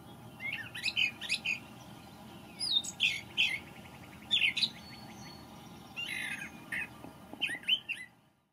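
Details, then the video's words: A male brown thrasher, newly arrived from migration, sings in May: about five bursts of rich, varied phrases, many given twice, some chattering and some whistled, over a faint steady background hum. "Thrasher Sings the May"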